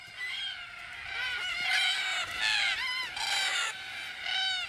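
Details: Several red-tailed black cockatoos in outback Australia, mostly unpaired birds gathering at a tree-lined watering hole as the sun drops, overlap in harsh, grating, rolling calls that bend up and down, a new call roughly every second, loud and continuous.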